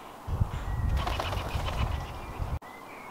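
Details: A woodpigeon in a British garden takes off from feeding with the loud wing-clapping typical of take-off, a burst of rapid flapping and low thuds.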